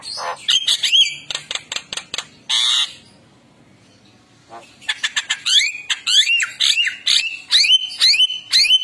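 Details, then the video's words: Tame Javan myna active outside its cage, mixing harsh, grating squawks with clear, bending whistles, about two notes a second, with a short pause midway; used as a master recording for training. "MASTERAN JALAK KEBO"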